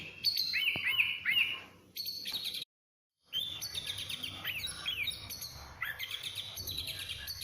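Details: Oriental magpie-robin (kacer) giving a busy, chattering song of high whistles, sweeping notes and harsh trills, broken by a short silent gap near the middle.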